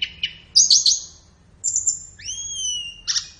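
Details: Flowerpecker master song for caged-bird training: a few high chips, a buzzy warble, a short thin whistle, then a long sustained high whistle held for about a second.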